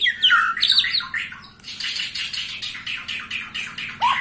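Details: A 21-year-old white-rumped shama singing a burst of squawky whistles followed by a harsh, evenly repeated rasping series, with a steady low hum throughout.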